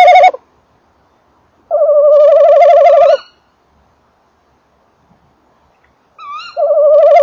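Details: Male tawny owl by its nest box in late December, female calling nearby: wavering tremolo notes about one and a half seconds long, with long quiet spaces and a short rising note just before the last one.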